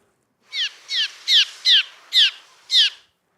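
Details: Cliff Swallows from a colony nesting under a bridge in summer give alarm calls while circling a person walking beneath, a 'zo' sound meaning danger. Six short, harsh, downward-slurred, buzzy high notes come about one every half second.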